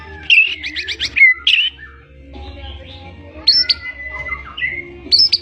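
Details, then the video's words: Song of a white-rumped shama, a blorok-coloured bird singing strongly with full varied content: a rapid series of sharp high notes, then a pause, then scattered whistled and slurred phrases with short gaps between them. "CEK SOUND-MURAI BATU BLOROK GACOR NGECES ISIAN"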